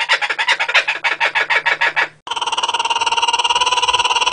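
A kookaburra's harsh, rhythmic cackling, pulsing about four times a second, breaks off abruptly and resumes as a steadier ringing chatter, with a faint low hum.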